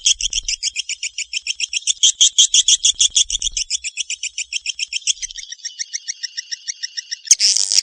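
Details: Swiftlet calling sound: a fast, steady train of high, twittering chirps, about three per second, with a brief buzzy burst near the end and faint low rumbles beneath.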